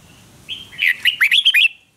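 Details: Red-whiskered bulbul in a singing duel, trained for a full, fiery voice: a short, rich phrase of liquid, whistled notes that rise and dip in quick succession over about a second.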